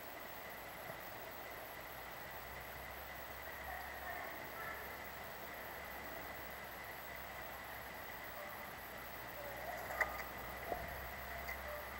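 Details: Steady outdoor background hiss with a constant mid-pitched hum and a few faint clicks near the end; no clear animal calls.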